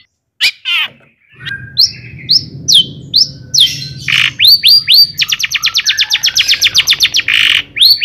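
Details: Singing long-tailed shrike, a lure to stir other shrikes to sing, full of mimicked phrases: scattered scratchy notes and up-swept whistles build into a rapid string of repeated sharp chips, with a harsh buzzy burst near the end.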